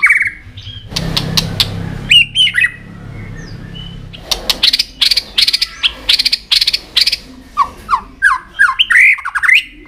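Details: White-rumped shama singing with tail-flicking, a recording meant to stimulate other shamas: sharp clicking bursts and brief whistled notes, with a low hum early on, ending in a run of quick rising whistled phrases.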